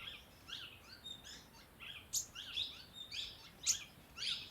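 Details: Sunbird calling at a homestay in Dehradun, Uttarakhand: a busy run of high, thin, sharp chirps and short twittering notes, several per second, with occasional brighter piercing peaks over faint background hiss.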